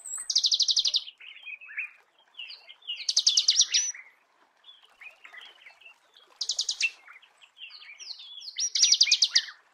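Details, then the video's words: A Marico sunbird sings in natural habitat with repeated dense, buzzy, high trills about a second long, separated by soft scattered chirps and twitters. "Marico Sunbird"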